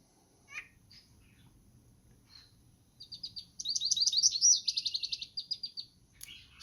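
American Goldfinch: a few thin, squeaky high notes, then a quick bright twittering run, about four notes a second, over faint low background hiss.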